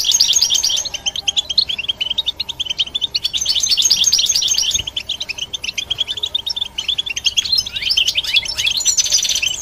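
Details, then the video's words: A European goldfinch sings a fast, tinkling twitter of short high notes, with dense bursts separated by brief pauses and some sweeping slurred notes near the end. "Look How The Goldfinch Sings شاهد تغريد طائر الحسون"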